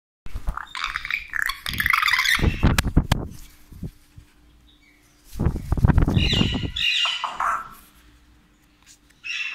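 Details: African grey parrot giving harsh squawks in two loud bursts, with a raspy band near the top and heavy thumping, broadband noise underneath, separated by short pauses.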